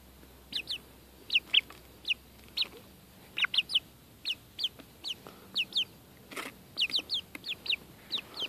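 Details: Chickens enjoying time outdoors give a steady run of short, high, downward-sliding peeps, often in pairs, about two to three per second throughout, with faint rustling and handling noises behind.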